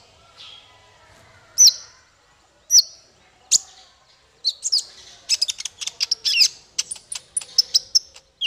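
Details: Male konin kept for training other songbirds: a few sharp, very high chirps about a second apart, then a fast run of high ticking and whistled notes.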